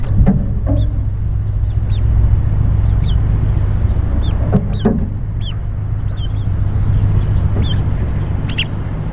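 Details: Brown-eared bulbuls squabble over a food bowl in flashy aerial skirmishes during a meal. Scattered sharp, high, downcurved squeals stand out above a constant loud low hum, with a few thumps.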